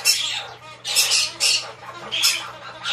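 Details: Hand-tame white-bellied parrot chick calling indoors: harsh, raspy squawks in bursts of about a third of a second, repeated roughly every half second to second, loud and close with no other clear sounds.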